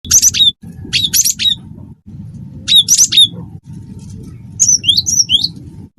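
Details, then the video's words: Cinereous tit of the wingko type singing vigorously as tutor song to prompt other birds: harsh buzzy chattering bursts, then a run of high, sharply bending whistled notes near the end, over a low rumbling hum. "gelatik batu wingko gacor masteran burung gacor"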